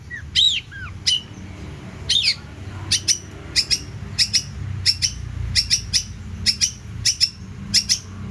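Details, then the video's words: Long-tailed shrike in mimicry-filled song for tutoring other birds: opens with slurred whistles, then sharp doubled chip notes repeated roughly every second and a half, fairly evenly spaced. "CENDET GACOR ISIAN MELIMPAH!! UNTUK MASTERAN BURUNG ANDA!!"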